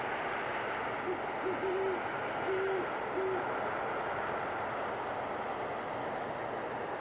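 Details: Two great horned owls perched in a tree after dark in Boulder, Colorado, in January, conversing: a brief series of deep, evenly pitched hoots between one and three and a half seconds, over constant broadband noise.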